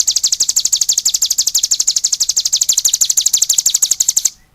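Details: Sustained cigun song: a continuous piercing trill of rapid, regular chip notes lasting over four seconds, ending abruptly into near silence.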